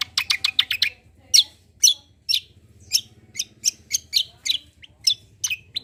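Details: Cucak kombo calling as a singing prompt for other birds: a rapid cluster of sharp high chirps, then loud single chirps repeated about twice a second over a low steady hum.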